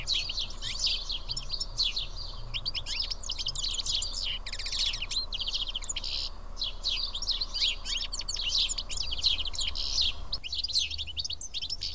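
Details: A feeding flock of house sparrows at Karyotissa, Greece, chirps in a dense, overlapping chorus for the whole stretch. Short bright notes repeat rapidly over a low background hum.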